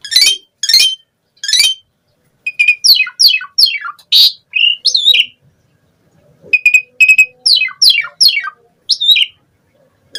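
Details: Asian pied starling pouring out a mimicry-rich song meant to prompt other starlings to sing: harsh rasping bursts, then quick bright downslurred whistles and short clipped notes in clustered phrases separated by brief pauses.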